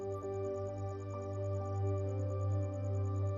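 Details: Steady ambient music with sustained tones and a soft pulsing high note, and no animal voices.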